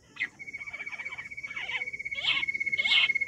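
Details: Wild quail in July 2024 giving short, rough, chirring bursts about every half second to second, with a steady high insect-like whine underneath throughout.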